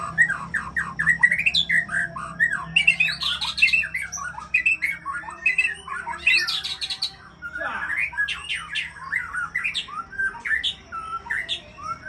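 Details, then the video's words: White-rumped shama, locally murai Aceh, a champion breeding bird, pouring out a rapid varied song of chattering, squeaky and whistled notes in dense bursts, with short pauses between flurries. "Murai Aceh"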